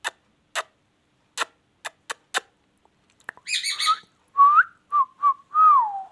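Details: Rose-ringed parakeet, a talking ring-neck kept as a pet, heard after a run of sharp clicks and taps: a buzzy harsh burst, then several short slurred whistles ending in a long falling whistle.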